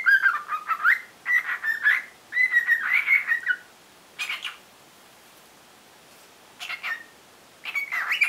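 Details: Pet cockatiel practising its song with wings spread, its voice said to be gradually gaining more stretch: warbling whistled phrases that rise and fall, several close bursts in the first few seconds, then a pause and short scattered phrases.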